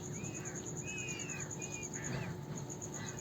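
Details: Indian peafowl chicks calling: a few short, arched whistles that rise then fall, spaced irregularly, over a steady high insect-like drone and low background rumble.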